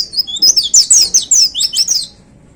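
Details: Caged white-eye (pleci) in a hanging cage delivering a 'tembakan' burst song: a fast, high, tumbling run of thin whistled, slurred notes lasting about two seconds, then quiet.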